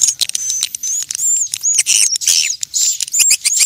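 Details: Swiftlet calls taken from nature, used to attract swiftlets: bursts of high squeaky chirps and short whistled slides, about two to three per second, separated by brief quiet gaps.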